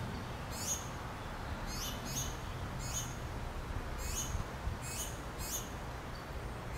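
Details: Young finches pleading for food from their mother: piercing high chirps sliding downward, some paired, repeated at irregular intervals of under a second against light noise.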